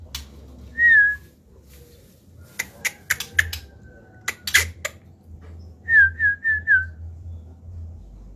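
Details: Male white-rumped shama, seemingly settling into time outside its cage: one clear falling whistle, a burst of sharp clicks and taps, then a quick run of four descending whistled notes, with a steady low hum throughout.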